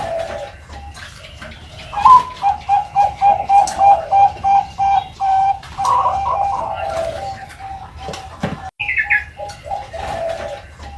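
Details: Leg-ringed Bangkok-strain zebra dove chick (piyik perkutut) calling. A fast run of short, even-pitched cooing pulses, roughly three per second, blends into a longer wavering coo. A brief higher chirp follows, then more soft pulsed notes.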